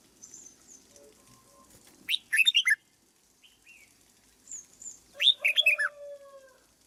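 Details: Caged red-whiskered bulbul being trained sings two bubbly whistled phrases of several notes, the second fuller and richer, amid faint high chirps from another bird and soft scattered background sounds.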